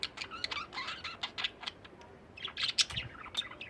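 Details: Pet budgerigars kept by a family, on a day of cage cleaning: dense, rapid chattering with sharp chirps and short warbled notes tumbling over each other almost without pause, some brighter squeaky peaks near the end.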